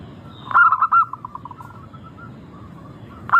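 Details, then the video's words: Local zebra dove song used as a lure to prompt birds to sing: a loud burst of quick, rounded cooing notes, then a softer quavering trill of fading notes, and a fresh cooing phrase starting at the end. "Pancingan burung perkutut lokal Suara merdu kristal sangat ampuh bikin cepat bunyi langsung gacor"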